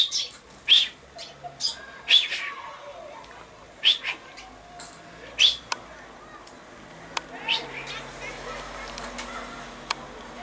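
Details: Common chaffinch, 22 August 2013: bright single chirps scattered through the first half, alongside sharp clicking taps and a steady low hum in the background.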